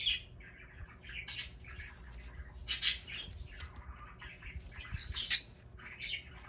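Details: A green-cheeked conure of unknown sex screams while playing indoors in Aichi, Japan, giving bursts of high chirps and harsh screeches, loudest twice in quick succession, in a quiet room.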